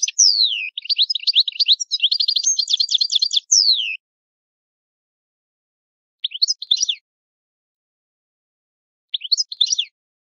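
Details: Italian goldfinch singing its old song: a four-second rush of rapid twittering and trilled notes with slurred descending whistles, followed by two short, widely spaced twitter bursts in silence.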